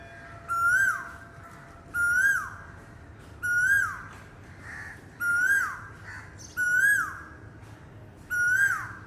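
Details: Repeated Asian koel call, six rising whistled phrases each ending in a quick downward slur, spaced roughly every one and a half seconds over a faint steady hum.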